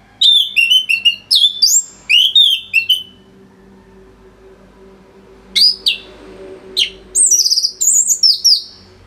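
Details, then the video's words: Orange-headed thrush singing densely. Quick runs of high, sweet whistled notes, partly slurred downward, come in two long bursts separated by a quiet gap of about two seconds. The song is used to train other songbirds. "ANIS MERAH Gacor Suara Rapet Bagus Untuk Memaster Burung Punglor"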